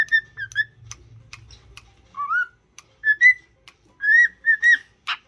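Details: A cockatiel being taught to sing and talk whistles cheerfully: a few clear notes, a pause over a faint low hum, then a rising slurred whistle and a run of bright, bouncy whistles ending in a harsh chirp.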